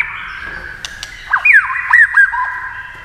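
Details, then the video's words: Tail-flicking white-rumped shama singing against a TV; after a soft start, a few loud hooked whistles come in quick succession over a steady tonal background, with brief sharp clicks. "kích chòe lửa hót đấu với tivi cực căng lửa"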